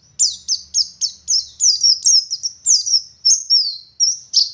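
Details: Oriental white-eye, dakun variety from Garut, West Java, singing ngalas: evenly paced, high downward-sliding whistles, several drawn out into longer falling notes, about one each second.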